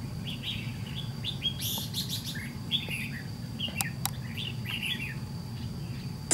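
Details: Red-whiskered bulbul with white cheeks, lured by a decoy bird in a trap fight: short, bright, warbled phrases of quick up-and-down notes, spread through the stretch with gaps between. A steady low hum runs underneath.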